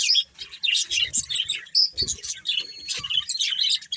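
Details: Budgerigars, a breeding pair, chirping in quick bursts of sharp, scratchy tweets and short whistled notes, broken by brief gaps and soft low knocks.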